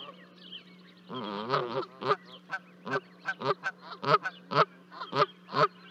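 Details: Honking parent geese while two goslings jump from a 30-foot nest in Charlo, Montana, 12 May 2020: a burst of overlapping calls, then a long series of sharp honks roughly every third of a second, with a constant low hum.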